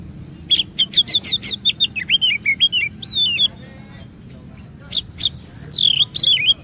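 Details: Oriental magpie-robin lure song: a quick series of rhythmic chipped notes, then falling whistles, a brief pause and a high sweeping whistle descending in steps.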